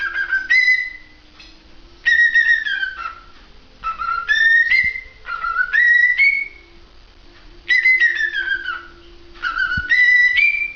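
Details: Cockatiel song of repeated whistled phrases roughly every two seconds. Each phrase starts with a short higher note, drops, then glides up into a sustained bright whistle. Between phrases there is near silence over a low background hum.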